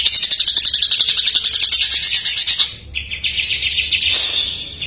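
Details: Greater green leafbird singing jamtrok-style filler notes, a lure for untrained or stalled birds; fast rattling high pulses run for over two seconds, then shift to lower, smoother warbled phrases and a sharp high note.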